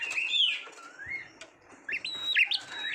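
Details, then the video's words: Oriental magpie-robin from a recording for training contest birds: softer, slurred whistled phrases with a long descending glide, a pause, then a few sharp jumping whistles over light background hiss. "SUARA KICAUAN BURUNG KACER TERBAIK"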